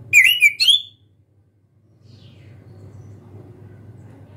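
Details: Three clear whistled notes open the recording, sliding up and down, from a young orange-headed thrush learning to sing, still timid. Silence follows, then a steady low hum.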